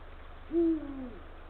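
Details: Eurasian eagle-owl male at the nest calling the female, late afternoon of 17 February 2023; one deep hoot, a loud steady note sliding lower and fading at the end, low background hum.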